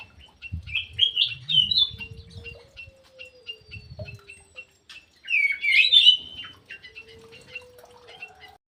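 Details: Ground thrush singing vigorously in an aviary: short bursts of rich, warbling phrases separated by series of sharp, evenly repeated chips. A long, thin, level whistle and low rumbling thuds sound in the background.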